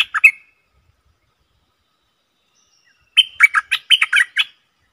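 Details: Stripe-throated bulbul kept in a cage, recorded 7 June 2021, gives a short bubbly fragment, then after a pause of nearly three seconds a quick run of eight or so chirpy, gurgling notes. No other sounds.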